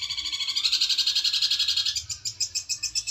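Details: Long-tailed shrike, a songbird-competition champion at district and national level, delivering a fast, high, buzzy trill of rapidly pulsed notes, about four per second, shifting pitch slightly midway and continuing steadily to the end.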